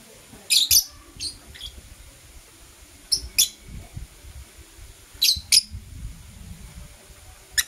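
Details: Blue opaline and euwing opaline lovebirds chirping in the morning: paired sharp high chirps repeated every two to three seconds, with faint low knocking between.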